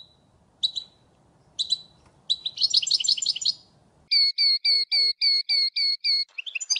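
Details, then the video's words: A European goldfinch sings a few bright chips and a quick tinkling twitter, then about nine clear, evenly spaced notes, roughly four per second, before another jumbled flourish. "صوت الحسون الأصلي - Stieglitz Major Beste Gesang - Le roi du chardonneret"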